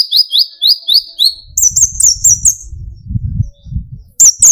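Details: Actively singing brown-throated sunbird (kolibri ninja), played to provoke young and adult sunbirds into singing: a quick run of high, rising chirps, then a faster, shriller twittering series, with low rumbling handling noise below.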